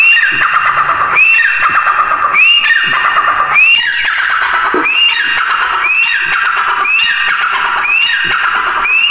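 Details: Grey francolin (teetar) calling: loud, harsh phrases with a sharp rising start then descending grating notes, repeated about once a second over nine seconds, eight phrases, slightly irregular timing, no other sounds.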